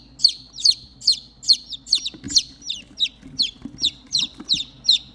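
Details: Three baby chicks that have lost their mother call for her with loud, high, sharply downslurred peeps repeated about twice a second in a steady series; a faint low hum underneath.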